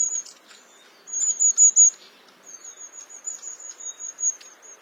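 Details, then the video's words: Long-tailed tit giving very high, thin, needle-like notes in quick runs, two bursts of sibilant see-see calls over faint background hiss. "Beautiful Singing Long-tailed Tit"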